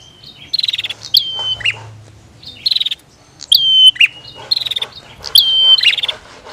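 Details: Bar-winged prinia, female and male calling: rattling buzzy pulses and long high level whistles with flicked starts, in three bursts with pauses and a low background hum.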